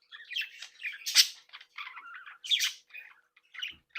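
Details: Chattering captive Australian budgerigars from a breeding group, socialising and playing. Grating warbles mixed with two loud, harsh squawks and softer chirrups in uneven bursts.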